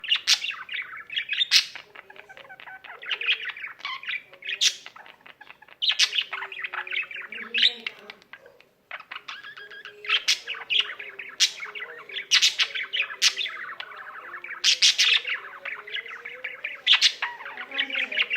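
A budgerigar warbles nonstop, mixing rapid chirps, clicks and scratchy squeaks into a busy chatter.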